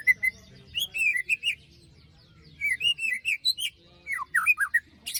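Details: Besetan-style lure song of a white-rumped shama, meant for birds that stopped singing after moult: loud, clear slurred whistles in rapid bursts, separated by short pauses, ending in steep downward-sweeping notes.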